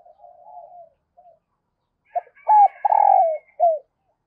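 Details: To stimulate males, a female dove coos. Soft low murmuring notes come first, then a loud sequence of short falling coos and a longer drawn note, with a faint higher tone above.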